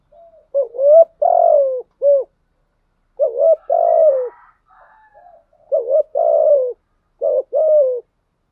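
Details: Decoy spotted dove with a 'giọng thổ' voice, cooing steadily: a two-part phrase with a short rising note, then a longer falling coo. Phrases come about every two to three seconds, with soft murmured notes between them.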